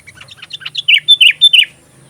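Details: Sooty-headed bulbul singing in a chatty style used to tutor magpie robins: soft short notes build into loud, bubbly whistled phrases, about five strong notes spaced a fraction of a second apart, with a faint low hum beneath.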